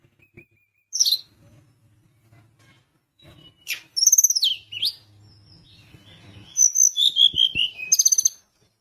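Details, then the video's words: Sunda minivet in active song meant to provoke rival birds: scattered sharp high chirps, then a cascading run of thin descending whistles repeated several times, in a quiet setting with a faint low hum. "Tledekan gunung gacor bikin lawan emosi langsung bunyi"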